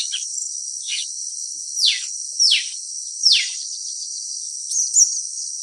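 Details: Blue-winged leafbird giving three sharp, downslurred whistled notes about two-thirds of a second apart, each sweeping steeply from high to lower pitch, over a steady high insect drone, with a brief thin note near the end.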